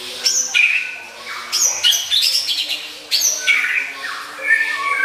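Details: Varied filler song of an Oriental magpie-robin, a tutor recording meant for contest training: bursts of sharp, sweeping high whistles and chattering notes in short phrases with brief gaps.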